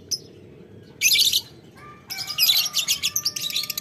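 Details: Lovebird calling a rival with ngetik ngekek chatter: harsh, buzzy bursts near one second and a longer rapid pulsing series from two seconds on, over faint low background hum.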